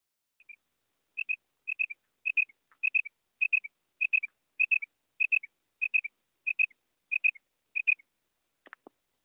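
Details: Female common quail call: soft, clear paired notes like a quick double whistle, repeated about a dozen times roughly every 0.6 seconds in a steady series, over an otherwise silent background with a faint click at the end.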